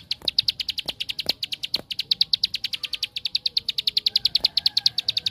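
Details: Lure recording of a bar-winged prinia in ngebren style, to provoke other prinias to sing: a fast, continuous series of sharp high notes throughout, with some dull thumps near the start.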